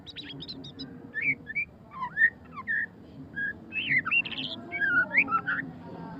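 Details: White-rumped shama (murai batu pastol) giving ngeriwik-style song: varied clear whistles and quick slurred phrases that rise and fall, arriving in bursts with short gaps, over a faint low hum.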